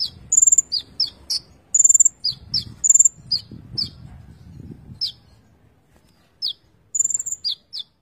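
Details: Konin (Van Hasselt's sunbird) singing full isian gacor song: thin high trilled phrases alternating with short sharp downslurs, a pause, then the phrases resume.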